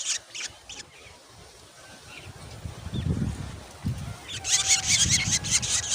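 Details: Growing Black drongo chicks at the nest give harsh, high, hissing begging calls for food in rapid bursts that build near the end, over low rumbling background noise.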